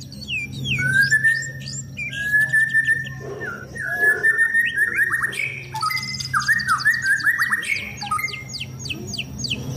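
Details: Caged white-rumped shama being sunned to keep it fit for song contests. It delivers a rich, varied run of clear whistles and quick slurred notes. Dense high twittering from other birds fills the background, with a low steady hum.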